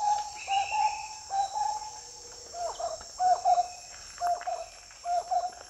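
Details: Marbled wood quail giving rhythmic, low, bubbling phrases in repeated bursts that rise and fall in loudness, with a constant shrill insect drone behind.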